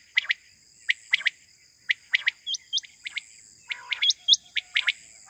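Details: A quail's morning call for hunting: spaced chirps in pairs and triplets, with short upswept whistles slipped between them and a constant high whine behind.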